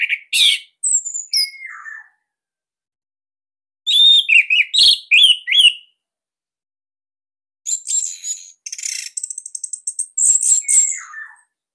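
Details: Loud, tight song of an Orange-headed thrush of the Bali type, used to coax young or silent captive thrushes into singing. Three bursts of sharp, high, whistled and downslurred notes are split by quiet pauses, and the last phrase runs into rapid trills.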